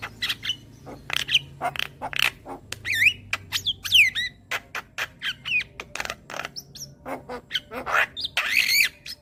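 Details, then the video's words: Javan myna song played as a tutor recording so that young birds start singing actively and nodding: a busy run of harsh squawks, clicks and sharp whistled upsweeps, with a buzzy burst near the end. "Masteran Burung JAlak Kebo Muda Agar Cepat GAcor Manggut Manggut"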